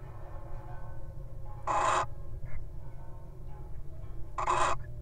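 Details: Wild little owl at its nest box, mate guarding as the partner enters: two harsh hissing screeches about two and a half seconds apart, a soft short note between, low hum behind.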